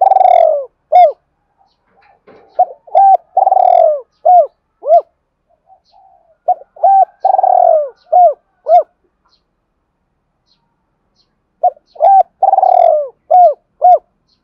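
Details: Rapid provoking coos from a spotted dove, used to get newly trapped doves cooing: three dense bursts of purring coos and short, sharply arched notes, each burst a few seconds long, separated by silent gaps, in a quiet setting.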